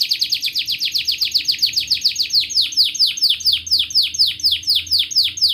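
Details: Caged canary singing long and continuously, used as a lure to get young canaries and canaries that have stopped singing to sing: a fast run of sharp downward-sweeping whistled notes, several per second, held steady throughout over a faint low hum.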